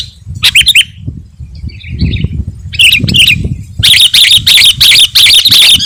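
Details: A sooty-headed bulbul's song, played to attract wild birds and anger rivals. It opens with short clipped notes and a soft warble, then breaks into a fast run of loud, harsh, repeated chattering bursts. Low rumble underneath.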